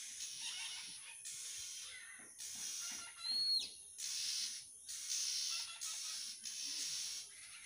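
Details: An Oriental magpie-robin playing with a cat gives harsh, hissing churrs, roughly one burst a second, with a single short whistled downslur in the middle.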